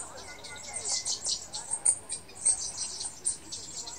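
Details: Black-throated bushtit calls at Fushoushan Farm on 22 September 2016: thin, very high hissing chips in quick irregular bursts, with a few faint lower whistled notes underneath.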